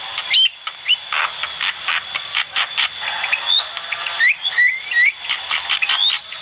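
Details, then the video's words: Javan myna singing actively, recorded as a training track for cage birds: rapid harsh clicks and buzzy bursts mixed with short rising whistles and slurred squeaks, over a steady high electronic whine. "Masteran burung jalak kebo gacor"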